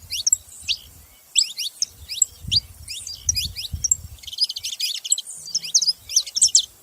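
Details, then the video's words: Saffron finches chirping together, short clusters of high down-slurred notes and some buzzy trills, over intermittent low rumbling noise. "Canarinhos fazendo barulho"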